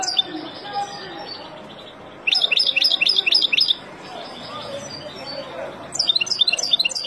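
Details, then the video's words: European goldfinch, wild, singing to teach young birds: a row of about seven quick, sharp, tinkling notes, then a pause and a renewed run of lively twittering near the end, over soft background noise. "اروع تغريد طائر الحسون البري لتعليم فراخ"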